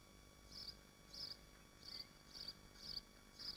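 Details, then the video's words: Swifts nesting in Machynlleth, Dyfi Biosphere: six quick, sharp, high-pitched screeches repeated roughly every half second, fairly loud against a constant low electrical hum. "Machynlleth Nesting Swifts Live Stream - Biosffer Dyfi Biosphere Screams & Streams Project"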